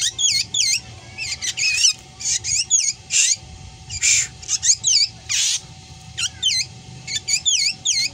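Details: Black drongo said to imitate a cat's meow along with odd shrieks: dense, rapid series of curved, nasal, meow-like notes broken by several harsh, grating bursts, lively and continuous throughout.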